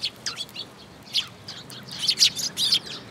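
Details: Sparrows at a bridge-railing feeding spot at a Tenmangu shrine in June 2022; a short run of high, squeaky chirps, scattered at first, then a louder cluster of tweets near the end.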